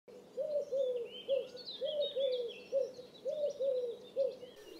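Eurasian collared dove giving soft, low three-note coos, repeated three times in quick succession, with faint twittering of other birds behind.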